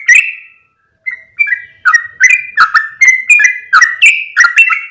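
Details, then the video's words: Yellow-vented bulbul lure sound meant to attract other birds: one bright whistled note, a short pause, then soft notes building into a fast, even series of clicky bubbling whistles. "SUARA PIKAT BURUNG TRUCUKAN INI AKAN MENGHAMPIRI BURUNG ANDA"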